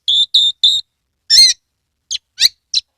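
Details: Captive Oriental magpie-robin from Kebumen, Central Java, singing with its tail spread. Three identical clear whistled notes come in quick succession, then a harsh buzzy burst and three short sharp chips.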